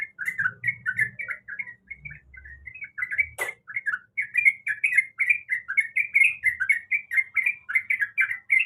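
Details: Sooty-headed bulbul female calling the male while in breeding condition, giving steady rows of quick chirping, slightly slurred notes repeated several per second, with a single sharp click partway through and a soft low hum behind.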